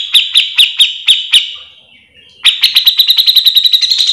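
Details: Grey-cheeked bulbul, cucak jenggot, in full gacor mbeset song for training its own kind: six spaced, sharp high notes, a quiet second, then an accelerating, tightly packed chatter.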